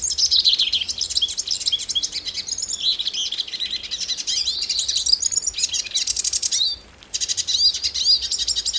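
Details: A hooded siskin from Brazil delivers a sustained, high-pitched, fast twittering warble with buzzy trills and whistled slurs, a short gap near the seventh second, then more chirping.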